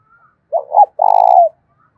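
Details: Spotted dove decoy calling to stir a rival male into combat with a thổ đồng style voice: two quick coos and a drawn-out vibrating note ending in a falling slur, with a faint thin whistle just before.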